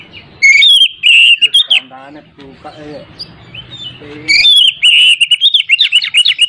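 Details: Oriental magpie-robin singing as a lure for a bird reluctant to sing: bright whistled warbling phrases at the start and end, with a stretch of low human voice in the middle.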